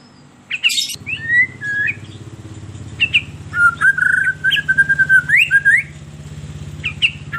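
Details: Melodious white-rumped shama song played as a lure for caged shamas: a sharp burst, then spaced whistled slurs and a rhythmic series of fluty notes, over a steady low engine-like rumble.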